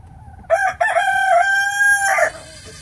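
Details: Rooster crowing on a farm: a loud, harmonic-rich cock-a-doodle-doo of about two seconds, opening with two short choppy syllables, then a long level sustained note, ending in a brief rougher burst; faint low rumble behind.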